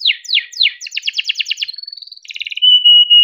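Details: Energetic caged canary song used as a master recording for training other canaries: a few falling slurs, a rapid pulsed trill, a short high whistle, a buzzy rattle, then a sustained pure whistled note.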